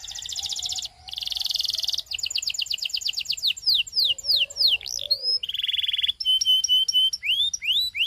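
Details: Belgian canary song played to get other canaries singing: buzzy rolls, a rapid trill of descending chips, swooping slurs, a low nasal note, then sharp rising whistles.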